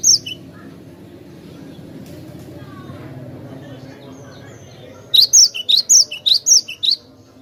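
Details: Bird-luring recording of a glatik batu, the cinereous tit: one sharp high note, a long quiet stretch, then eight rapid, evenly spaced high whistled notes.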